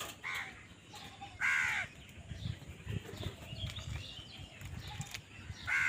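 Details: Crow fighting for food, giving harsh downward-bending caws: a softer one early, a loud one after a second, another at the end, with low rumbling background and faint bird chirps.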